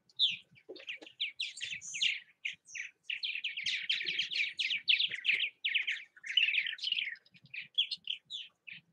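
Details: Purple martins around their bird houses in Southwest Missouri: a dense stream of chirps, gurgles and rattling warbled notes overlapping almost without pause, with soft low knocks in the background.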